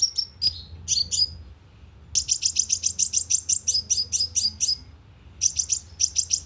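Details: Sunbird lure sound for a speaker trap, very lively: a few separate high chips, then a long, fast, steady string of bright, piercing notes and a final short burst.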